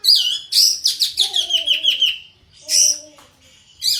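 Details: Breeding-condition kapas tembak, tail spread, gives a loud run of descending slurred whistles that merge into a sustained high note, followed by two short emphatic bursts.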